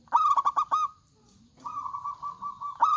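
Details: Zebra dove (local perkutut) in full song, used to prompt other doves to join in. A quick run of five clipped coos, then a long even purring trill, then another bright stutter.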